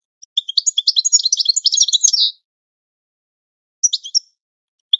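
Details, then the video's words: European goldfinch training song for teaching caged birds: a dense two-second burst of rapid tinkling, twittering notes, then silence and a short twittered phrase near the end, clean with no background. "Goldfinch The Best Singing - training song"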